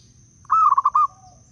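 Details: From Blora, Indonesia, a wild-type local zebra dove used as a decoy voice for trapping gives one crisp phrase of mellow coos broken into rapid pulses that end sharply. A faint steady high hum sits underneath.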